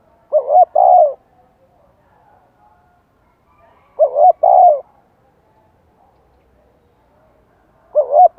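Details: Spotted dove singing to provoke other birds into answering: two short, soft cooing phrases about four seconds apart, each a quick note followed by a longer, falling coo, with quiet pauses between.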